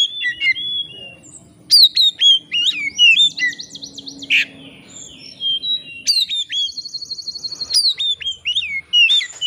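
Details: Shama song played to bait a rival into singing: crisp upswept whistles, a rapid rattling trill and flowing melodic phrases delivered in lively, repeated bursts.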